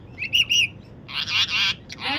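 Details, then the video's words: A parakeet gives two short, high chirping notes, then a pause, then two harsh, raspy screeches in quick succession. "আমাদের টিয়া পাখিটা কি বলছে কে জানে।"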